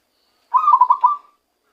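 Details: Wild-caught zebra dove beginning its real song: one clean phrase of five or six rapid, rolling cooing beats, slightly falling in pitch, on a silent background.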